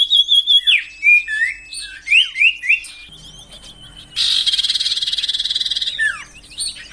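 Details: Common iora song in a songbird training recording: a run of clear whistled notes with quick slurred drops, repeated about every third of a second for three seconds, then a loud buzzy, rapidly pulsed rattling burst and a final upward slur.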